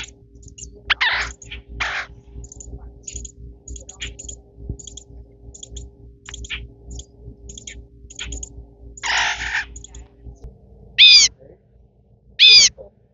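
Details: Young American crows at a wildlife center being fed give harsh, nasal begging squawks in loud bursts, with a faint steady hum and soft clicks behind.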